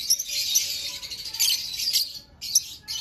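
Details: Green Fischer's lovebirds in a shrill, high-pitched chattering burst with piercing squeaks, a brief pause near two seconds, then more sharp chirps.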